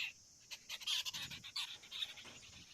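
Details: A common myna (Acridotheres tristis) perched at its tree-hollow nest, holding a large green insect for its young, gives a quick run of harsh, scratchy chatters mixed with a few brief whistled notes over about two seconds.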